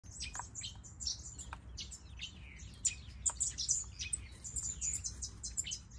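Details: Red-billed leiothrix (Pekin robin) bathing in an aviary, giving rapid, high chirps and short twittering notes, repeated quickly and overlapping, with a faint background hum.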